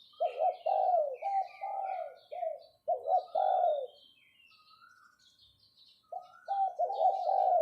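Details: Spotted dove used as a decoy, cooing 'pho pho' to summon: bursts of rich, rolling coos, a long silent stretch, then more coos. Throughout, small birds chirp and twitter clearly at higher pitch.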